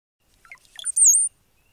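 Brown-headed Cowbird giving a few low, liquid gurgling notes, then a thin, high, sliding whistle lasting about a third of a second. No other sounds.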